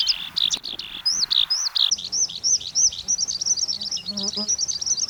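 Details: A Eurasian skylark gives its spring-to-early-summer song, a fast, unbroken stream of high, rolling chirrups and trills, varied and tumbling, with barely a pause between phrases.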